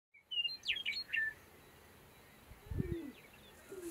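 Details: Sharp-tailed grouse at a lek: a few sharp high chirps early on, then a loud low throaty burst with a short follow-up, over steady faint background noise.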